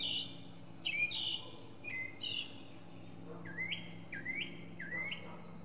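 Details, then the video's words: Northern mockingbird performing from the top of a pine tree: slurred, falling whistles first, then a new motif of rising, upswept notes repeated about once a second. "Northern Mockingbird goes thru his greatest hits!"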